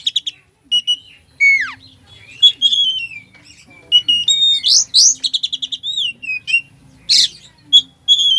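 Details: A sluggish-bird-provoking Oriental magpie-robin song full of filler: fast chattering trills, sweeping downslurred whistles and buzzy bursts run in a nearly continuous, varied stream, with a soft background hum.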